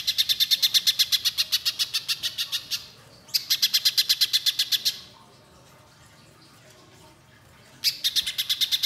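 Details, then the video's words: Spiderhunter in full song with long bursts, used to prompt young spiderhunters to sing: fast series of sharp, high, even chip notes in three bursts, the second ending abruptly, separated by quiet pauses. "Pijantung Pisang Gacor Nembak Panjang"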